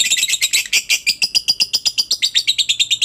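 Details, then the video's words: Rapid lovebird chattering meant to get other lovebirds calling: evenly pulsed, rasping notes at about six per second, shifting slightly in pitch across three seconds. "suara Lovebird ini Joss buat pancingan Lovebirdmu agar cepat ngekek"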